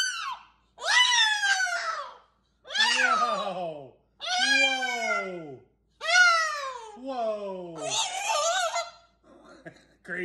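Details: Indoor pet cockatoo giving five long, drawn-out screeching calls, each sliding downward in pitch and lasting about a second, separated by short silences, with a fainter scratchy note at the end.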